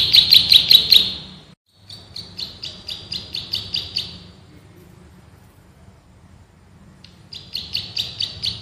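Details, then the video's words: Male plain prinia (rice-field prenjak), a species of rice fields and grassland, in a master recording sings rapid bursts of sharp, high, buzzy notes, several per second, with a short pause before the series resumes. "MASTERAN BURUNG PRENJAK SAWAH GACOR, NGEBREN TEMBAKAN RAPAT"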